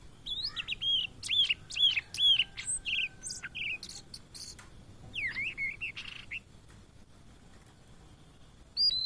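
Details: Migrant Blue-and-white flycatcher seen in Indonesia sings clear whistled phrases of quick up-and-down slurred notes, repeated in a fast series, then a pause and a sharp closing note, with soft background hiss.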